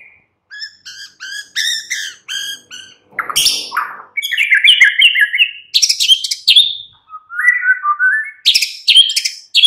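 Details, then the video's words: White-rumped shama singing in the afternoon, played to prompt a captive bird to sing: six clear repeated notes, a harsh rasp, then rapid varied whistled and buzzy phrases, with notes falling in steps near the end. "Pancingan MURAI BATU Sore PETANG Otomatis jadikan Murai NYAUT GACOR"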